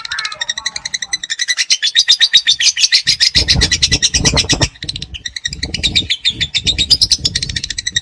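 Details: Young lovebird's ngekek song: a sustained, rapid, slightly uneven high chatter with a short dip mid-way, over a low rumbling background noise.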